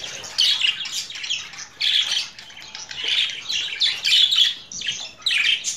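Budgerigar warbling in bursts of scratchy, chattering chirps about a second long, high-pitched and almost continuous, with brief pauses between phrases.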